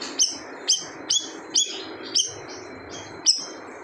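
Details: Loud siri-siri bird singing hard, its song reputed to hush other birds: a series of piercing high notes, each a quick downward whistle with a short tail, spaced roughly half a second apart, one brief pause near the end.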